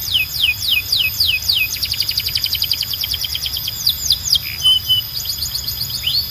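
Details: Loud, clear canary song: a run of falling whistled notes, then quick buzzy trills and more down-slurred sweeps, with a short pure tone near the end.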